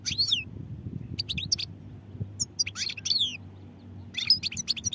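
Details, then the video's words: European goldfinch singing: several quick bursts of bright, twittering notes with downward-sliding high whistles, separated by short pauses, over a steady low background hum. "goldfinch songs | goldfinch singing"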